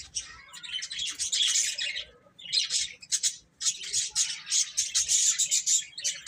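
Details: Chicks feeding and playing, producing almost continuous shrill, squawky chirping in long bursts with one short pause midway.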